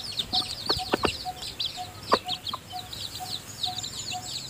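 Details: Hen feeding her newly hatched chicks in the nest: steady high peeping from many chicks, cut by short sharp clucks and soft, evenly spaced low notes from the hen about twice a second.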